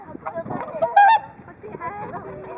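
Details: A flock of whooper swans waiting to be fed at Hakuchodai Sebat, Onuma–Konuma, Japan, calls together, loud nasal honking notes overlapping, with one strong bugling honk standing out near the middle.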